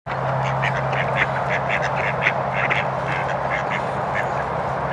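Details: A few mallards at Millers Pond, Hardwick Hall, on 6 December 2023, giving repeated short nasal quacks in a loose cluster over steady background noise and a constant low hum.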